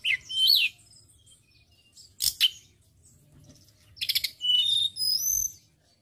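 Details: Lure recording from Indonesia of a lively white-browed shortwing for training songbirds: bursts of high, sweet whistles and quick twittering notes, a sharp crackling flurry near the middle, then rapid stuttered phrases ending in clear rising and falling whistles.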